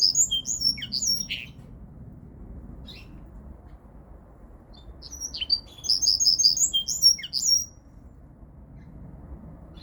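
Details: Linnet × canary hybrid mule singing in two bursts of high, quick chirps and warbled notes, separated by a quiet pause of several seconds, over a faint low background hum.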